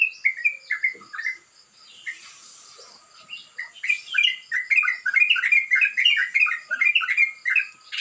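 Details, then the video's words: Morning song of a sooty-headed bulbul in the rough, rapid ropel kasar style. A few short downslurred chirps are followed by a pause, then a fast tumbling burst of bright chirping notes. "embun pagi burung crucukan ropel kasar"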